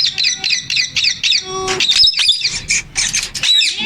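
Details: Male Indian ringneck parakeet, described as talking, gives quick bursts of high, shrill, slurred chirps in fast succession, broken by a brief steady lower tone and harsher squawky notes.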